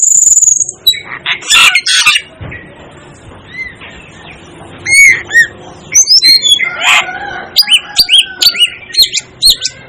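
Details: Asian glossy starling, called a 'devil' bird, giving sharp high whistles and short squeaky chirps in scattered bursts, with a buzzy high note at the start and clusters of metallic chips toward the end.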